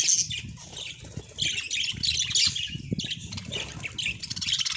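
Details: Pet budgie warbling in bursts of high, scratchy chirps and squawks, broken by short gaps. A fluttering, wing-like low patter runs through it.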